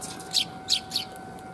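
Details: Sparrows arriving to be fed on 5 December 2021 give three sharp, high chirps in quick succession, spaced roughly a third of a second apart, with a faint steady electrical hum underneath.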